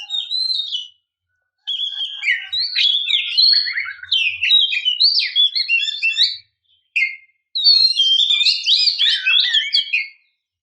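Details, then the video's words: Female Oriental magpie-robin calling to provoke males into singing: a dense, fast stream of varied chirps, slurred whistles and scratchy notes in three bursts separated by short pauses, with no other sounds. "kicau burung kacer memanggil - pancingan kacer agar bunyi"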